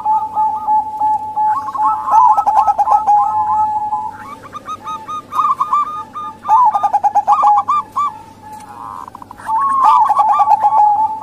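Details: Female zebra dove, local strain, voice used to lure males or wild doves; several bursts of quick rolling coos separated by short pauses, each phrase stuttering and pulsed, over a constant low hum.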